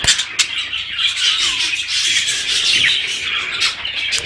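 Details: Budgerigars chattering to prompt breeding, a thick blend of high warbles, short whistled chirps and harsh squeaks from several birds, steady throughout.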